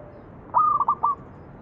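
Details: Single cooing phrase of a local zebra dove, used as a lure for other doves: a held note broken into three or four quick stepped pulses, lasting under a second.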